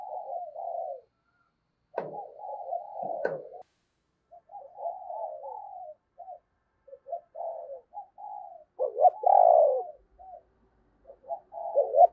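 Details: Lure spotted dove cooing to draw wild doves. A steady run of low, soft coos and murmured notes ends in one louder, rolling, stuttered coo phrase near the close.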